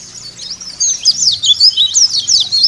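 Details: Lure song of a white-eye meant to make caged white-eyes sing; after a quiet first second, a lively stream of high, thin, twisting whistles and chips continues steadily.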